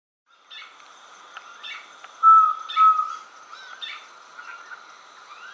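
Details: Least pygmy owl in Brazil giving its song: two clear, mid-pitched whistled toots about half a second apart, with fainter similar notes around them and busy chirping from other birds in the background.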